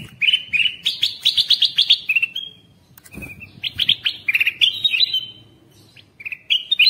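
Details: Bulbul lure sound meant to call wild birds in: quick runs of sharp, bright chirps climbing in pitch, ending in thin whistles. A soft thump breaks in midway, and the chirping then resumes.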